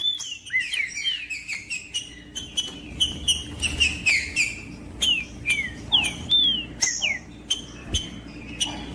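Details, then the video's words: Singing trinca-ferro (green-winged saltator) meant to stimulate a cold bird. A steady series of bright downslurred whistles repeats more than once a second, punctuated by sharp clicks, over a low hum. "TRINCA FERRO CANTANDO PARA ESQUENTAR TRINCA FERRO"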